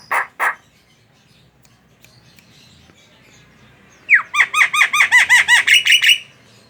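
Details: Chattering Javan myna, a recording meant to provoke other mynas into song: two harsh rasping notes, silence, then a rapid burst of about a dozen ringing whistles, each sliding down steeply.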